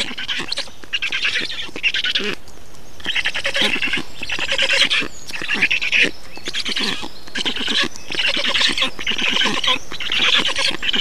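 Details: Feeding at a black stork site in Estonia, 2 June 2019: rhythmic bursts of grating, wheezy, pulsed calls repeat roughly every second throughout, steady in loudness.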